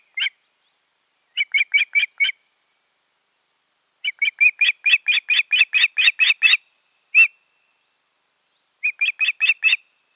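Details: An osprey of a pair at their nest in Finland, 14 June 2019, gives bursts of short, piercing whistled 'cheep-cheep-cheep' notes in runs of four to a dozen with brief pauses, over a quiet background.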